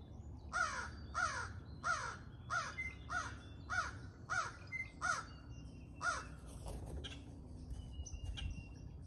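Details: Morning feeding of a pair of crows, vocal throughout: a steady run of eight coarse, descending caws roughly every two-thirds of a second, fading to soft distant bird notes and low outdoor rumble.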